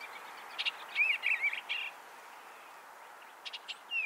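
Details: An Eastern Bluebird on Cedar Haven Farm, Ontario, a farm with upland forest, swamp and meadows, gives a soft, short warbled phrase of a few slurred, mellow notes, with a few sharp clicks or ticks over faint background hiss.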